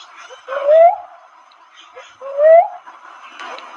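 A cuckoo-dove gives two low, rising whistled notes about two seconds apart, each with a slight upward slur, over a faint background hiss.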